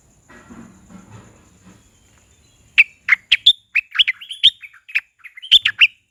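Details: Green parrot visiting a garden gives a rapid burst of harsh, screechy chirps and squawks, about a dozen notes in three seconds, after a quiet start with faint low murmuring.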